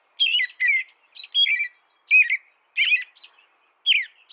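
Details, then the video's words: Loud, close American robin song: a chain of brisk two-part whistled phrases, rising then falling, with sharp high overtones and short silent gaps between them. "Suara burung american robin"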